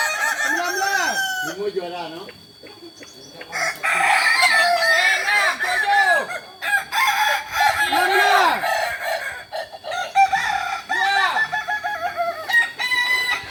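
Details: During joint training at Ampang Kualo, Solok, West Sumatra, Kokok Balenggek cocks crow in repeated phrases of short arched, stepped syllables, one bird after another with brief gaps, overlapping at times.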